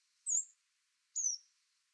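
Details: Coal tit calls, mostly short squeaks: two thin, very high drawn-out notes sliding slightly downward, nearly a second apart, in an otherwise quiet setting.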